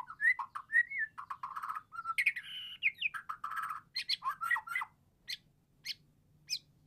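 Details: Young white-rumped shama, eight months old, singing in the continuous teler style: a fast, varied run of whistled slurs, rising and falling notes and buzzy trills, ending with sharp, spaced high chips over a faint low hum.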